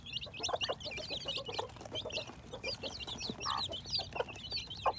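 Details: Baby chicks hatching in spring 2021 give a busy stream of shrill chirps, with soft rhythmic low clucking underneath and a stronger cluck around three and a half seconds.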